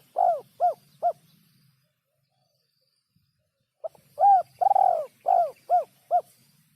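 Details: Spotted dove lure call used for trapping: a run of three short rounded coos, a pause, then a longer sequence with a drawn-out middle note and several quick coos, faint rural background.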